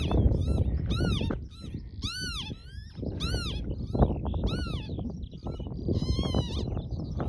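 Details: A mating pair of Northern lapwings on Barden Moor near Skipton in June: repeated wheezy, arched rising-then-falling 'pee-wit' calls, several close together and overlapping, over a strong low rumble of wind.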